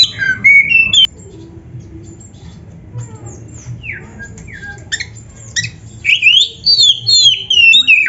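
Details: Oriental magpie-robin song for training caged birds to sing: a burst of whistles, a quiet stretch with scattered thin downslurred notes, then a loud run of fluty rising and falling phrases.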